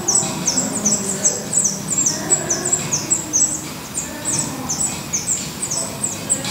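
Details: At a Portuguese Black redstart nest holding chicks, high, thin, slightly downslurred chips come in a quick, steady series of about two or three per second, with soft low rumbling beneath.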